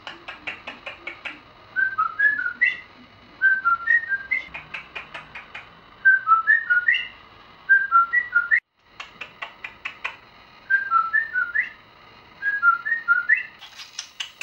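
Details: Six-year-old pet budgerigar indoors, a bird said to imitate the Light-vented Bulbul's call. Short whistled phrases with rising and falling notes repeat in bursts about every two seconds, with a brief silent break midway.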